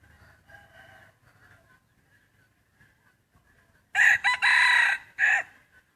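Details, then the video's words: Free-ranging rooster among Hmong hillside fields and forest. Faint distant crowing and clucks come first, then a loud, harsh crow bursts in at four seconds: a broken, multi-part cry with a final rising segment, about one and a half seconds long. "Tso qaib noj nyom thiab nroj ua si(ฟังเสียงขันเพราะ)"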